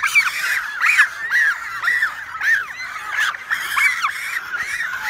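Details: American white pelican breeding colony, shared with cormorants, on a remote lake island in Canada, recorded June 23, 2018 with an iPhone 7 Plus; rapid series of hoarse, arching squawks, several per second, quite close and clear.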